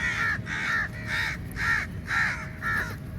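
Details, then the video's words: Crows gathered in great numbers attacking food at feeding time; a run of six loud harsh caws, evenly spaced about every half second, over constant low background rumble. "Very Large Number Of Crows Attack On The Food | Crow Feed Time | Crow Sounds Very Loudly"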